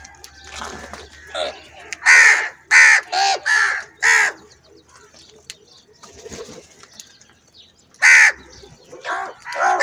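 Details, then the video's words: Many crows fighting over food together: a rapid burst of five or six loud raspy caws in quick succession, a lull of quieter calls, then another harsh caw and more cawing building again at the end. "Crow Bird Unity Anger And Sounds | Large Number Of Crows Ki Natural Awaaz And Fight For Food"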